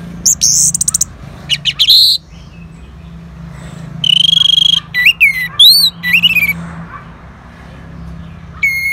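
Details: Orange-headed thrush singing in response to a lure sound: loud, high whistled phrases, rapid buzzy trills, and sharp notes that sweep down then up, delivered in bursts with short pauses over a low steady hum.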